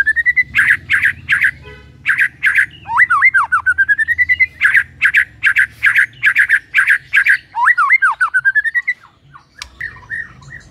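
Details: A White-rumped shama in steady, vigorous song to trigger shamas into singing: loud rasping bursts in quick runs alternate with long rising whistles and tumbling slurred notes, repeated several times, ending in softer scattered notes.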